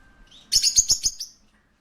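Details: A parakeet at a pet shop gives a quick burst of about five sharp, high, buzzy chirps run together, then falls silent; the background stays quiet.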